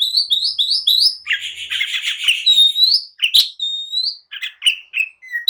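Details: Oriental magpie-robin in agitated song, provoking others to answer and fight: a rapid series of rising whistles leads into a dense, rich warble, then sharp clear whistled notes with short gaps.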